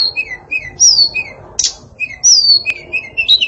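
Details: Female hill blue flycatcher (tledekan) giving sparse sweet whistles, short descending slurs and a couple of sharp clicks, the notes spaced irregularly against a faint hiss.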